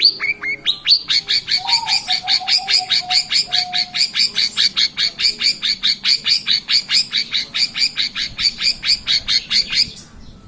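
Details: Long-tailed shrike singing actively, recorded as a lure to prompt other birds to sing: a few varied opening notes, then a loud, steady series of harsh repeated chatter notes, about two to three per second for nearly ten seconds.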